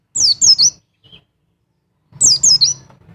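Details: Double call of a mountain white-eye, played to stir a male into breeding condition: two bursts of three rapid, sharp, falling whistled notes, separated by a brief pause and a faint soft note.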